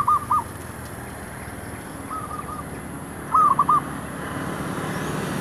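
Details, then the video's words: Zebra dove, a decoy for luring wild doves near shops, giving brief paired cooing notes at the start, a faint phrase mid-way and a stronger trilled phrase later, over background hum. "MEMIKATMERBUK / PERKUTUT DI KAWASAN KEDAI"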